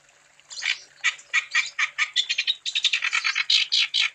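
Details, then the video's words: Wambi bird's lure song for other wambi: after a soft start, loud, harsh chirps repeated about twice a second, merging into denser rattling chatter toward the end. "Burung Wambi Gacor Untuk Umpan Supaya Wambi Anda Tambah Gacor"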